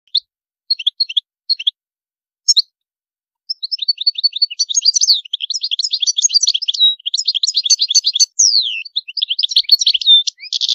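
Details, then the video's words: European goldfinch song described as beautiful with high notes: a few short chirp bursts, then a long twittering run of quick high trills and buzzy notes with rising and falling sweeps, no other sounds. "تغريد الحسون جميل دو مقامات عالية"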